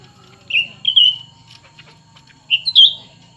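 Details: In a duel between an old and a new cucak ranting, the birds give short clear whistled phrases. Two notes come, then a pause, then a rising pair of notes that ends in a brighter flourish.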